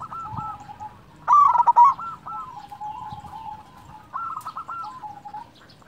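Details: Zebra dove with a big, sweet voice, used as a lure to prompt reluctant doves to coo: a loud, quick burst of hooked notes, then softer trailing coos and another short run near the end.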